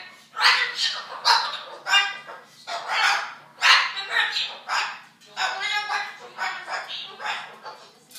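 A cockatoo imitates an argument, with loud, harsh, speech-like outbursts in irregular bursts, rising and falling like shouting voices.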